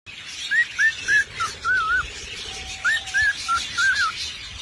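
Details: A singing parrot gives two phrases of short, clear whistled notes, each slurred up and down, about four notes per phrase with a pause between, and a lower steady whistle held beneath the second phrase.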